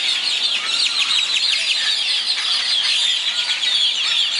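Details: Birds greeting daybreak in Zapotitlan de Mendez, Puebla: a thick mix of rapid high chirps and twittering notes from several overlapping singers. The chorus holds at a steady loudness throughout.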